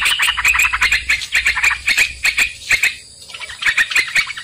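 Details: Sooty-headed bulbul lure sound for catching birds: rapid bubbly chatter for about three seconds, a brief lull, then more chattering notes, with crisp clicks and a constant faint high-pitched tone behind.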